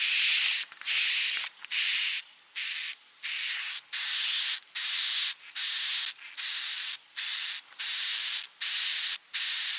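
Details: Edible-nest swiftlet lure calls meant to tempt birds to build nests: a steady string of grating, high buzzy chirps, each under a second long, with brief silent gaps and a faint whistled tone on top.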